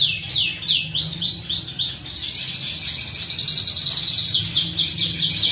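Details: Canary song: a fast series of high, sweeping whistled notes, first slower slurred downward phrases, then a rapid rolling trill of repeated notes, over a low background hum.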